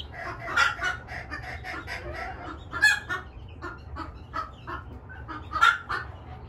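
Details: A three-week-old pheasant-chicken hybrid chick gives soft clucks and sharper peeping notes at irregular intervals over a low background rumble.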